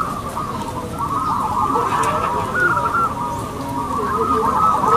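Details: Many local zebra doves cooing together at a singing contest, a dense chorus of quick repeated notes that grows slightly louder toward the end.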